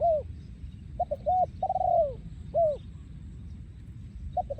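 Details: In 2023 in Thailand, a breeding male spotted dove sings yon khu ang phrases. Mellow arched coos lead into stuttering short notes and a long, sliding, descending coo, and phrases repeat steadily over a soft low hum.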